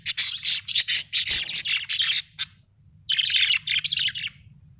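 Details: Budgerigar chatter from Australian budgies, dense and scratchy, with rapid high chirps packed together for over two seconds, a pause, then another burst of buzzy notes, against a soft low background hum.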